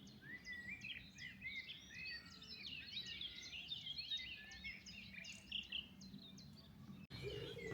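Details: A common nightingale in Sussex, England, in early May pours out a rich, fast song of varied whistles, trills and chirps with hardly a pause, over a low rumble of wind.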